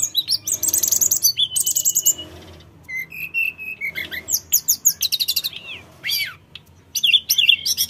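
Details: Sooty-headed bulbul (tledekan gunung) in full, lively song, played to make untrained birds answer quickly; rapid high chirps, rising whistled notes and buzzy trills in quick bursts with short pauses.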